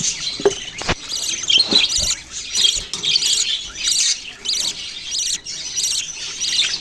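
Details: Many budgerigars chirping at once, rapid bursts of bright, buzzy warbles rising and falling in waves over nearly seven seconds, with occasional sharp clicks.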